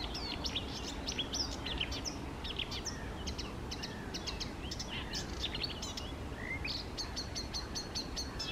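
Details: Eurasian reed warbler in song at small lakes, morning of 28 May 2024, delivering a dense, rhythmic chatter of clicking and whistled notes, many repeated in short series, ending with a fast run of identical ticks, with constant low background noise.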